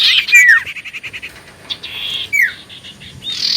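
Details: Common iora song as a lure for answering birds: a quick falling whistle followed by a pulsed rattle, then a buzzy trill and another steeply falling whistled slur.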